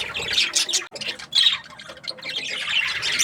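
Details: Breeding-season budgerigars chattering in a group, loud scratchy chirps and squeaks that briefly dip after the first second, then resume as a dense warbling babble.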